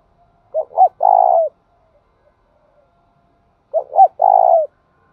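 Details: Spotted dove performing its long thúc bổi and gáy gọi song. Two matching phrases about three seconds apart, each two quick short coos and then a drawn-out steady coo. The surroundings are silent.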